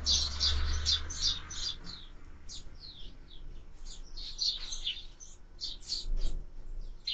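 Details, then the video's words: At a bird feeder, sparrows give high chirps, dense at first then scattered and softer, with a low rumbling thump near the start. "#воробей #sparrow"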